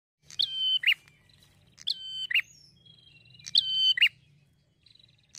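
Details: A prinia sings high, sharp chirping phrases of a few quick notes, repeated about every one and a half seconds, used as a lure to make other prinias answer. A faint low hum runs underneath.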